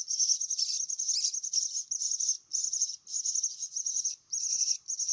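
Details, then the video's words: Myna young beg during feeding with a sustained, shrill, buzzy chatter, interrupted three or four times by brief pauses. "kasih makan anak burung jalak"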